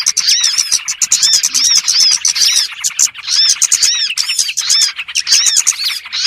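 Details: Chorus of small birds meant to lure others into traps: rapid high twittering with arched whistled notes repeating continuously, steady and loud throughout.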